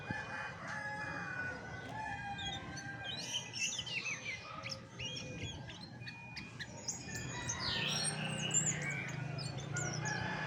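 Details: Anis macan, the chestnut-backed thrush, in a long varied song: quick chirps, sweeping whistled runs and bursts of high notes, alternating busy and quieter stretches, low hum beneath.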